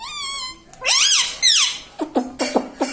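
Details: Talking parrot imitating human words; one long steady harmonic tone, then two loud bent syllables, followed by short repeated clipped notes.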